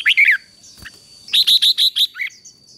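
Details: Red-whiskered bulbul song used to train a wild-caught bird to sing in fighting style: a quick burst of bright, warbling notes, a pause, then six clear, rising-falling whistled notes in a row, over a steady thin high-pitched tone.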